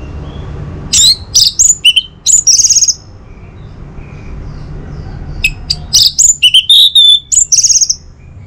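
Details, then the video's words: Varied, high-pitched song of an orange-headed thrush, meant to encourage other birds to sing in the morning. Clusters of sharp whistles and short chirps alternate with a quiet gap of several seconds midway. "Saatnya Buat ANIS MERAH NGEPLONG Gacor dirumah. Pancing dengan suara burung ini baik pagi hari."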